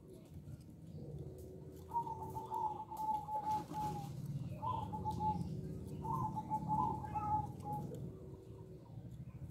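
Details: Local-strain zebra dove, said to be a keen singer with a small voice. It gives a run of rapid clipped cooing notes at a steady pitch, then two shorter bursts, against a murmuring low background.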